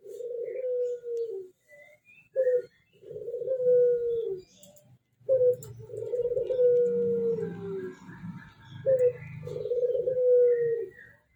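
A ringneck dove coos softly and low: a short clipped note, then a long rolling coo that slowly falls, repeated about every three seconds over a faint hum.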